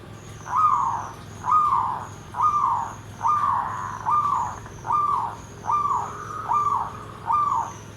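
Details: Zebra dove (perkutut) song in the style called nggandem gedhe garing: a steady series of nine mellow, deep cooing phrases, each slightly rising then falling, repeated roughly every second, with faint high hiss in the background.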